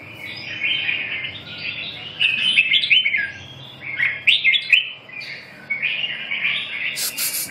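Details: Red-whiskered bulbul pouring out bubbly warbled phrases, rising and falling slurs in clusters with brief pauses, ending in a sharp scratchy burst of noise.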